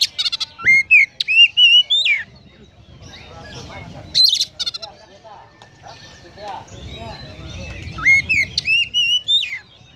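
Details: Oriental magpie-robin in the 'konslet' style, its song filled with sparrow imitations: loud clear whistled notes rising and bending, in bursts of rapid phrases around one, four and nine seconds, with softer twittering chatter between.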